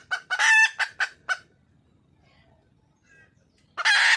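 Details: Wild red junglefowl hen calling for a male: five short, harsh, pulsed notes in quick succession, a pause of near silence, then one loud, long, broad-toned squawk at the end.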